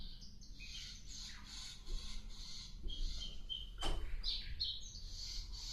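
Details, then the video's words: Sikatan londo flycatcher singing busily, a fast string of high twittering and buzzy notes, broken by one sharp click, over a low hum. "burung sikatan Londo asik aktif"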